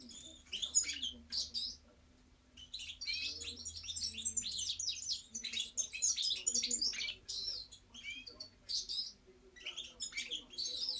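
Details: European goldfinch giving bursts of fast twittering song separated by short gaps: clusters of high chirps, trills and buzzy notes, rising and falling in loudness, with a faint low hum underneath.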